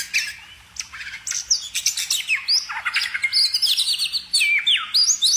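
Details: Bird pouring out a fast, varied song of high chirps, trills and swooping whistled slurs, rising and falling continuously over five seconds with brief gaps.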